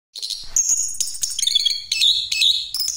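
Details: Orange-headed thrush singing in continuous 'ngeroll' style, used as a lure for other birds: high, clear whistled notes alternating with brief rapid chattering runs, phrases changing pitch about every half second.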